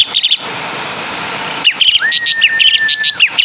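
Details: Asian pied starling of Javanese stock imitating kapas tembak and caladi: a short chirp burst, a quiet gap, then chattering high notes over a long, level, sustained whistle.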